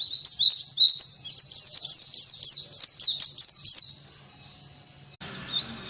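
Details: Oriental white-eye singing as a training lure for kept birds: rapid, very high twittering notes that slur downward, about four each second, fading out near the four-second mark before a brief faint chirp and soft background clatter.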